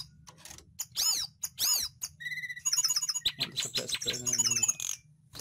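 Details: Sunda blue robin (tledekan gunung, sulingan) in lively song used for training caged birds: ringing, arched whistled notes, then a fast run of repeated sharp chips and a rapid chattering trill, over a low steady hum.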